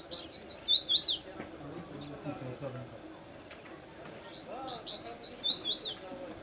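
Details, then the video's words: Male Crested Bunting singing in the breeding season, perched above a fort wall at Pune, India: short phrases of bright, high, slurred notes, each ending in a quick descending flourish, repeated about every four seconds; faint voices murmur beneath. "Song of the Crested Bunting Male."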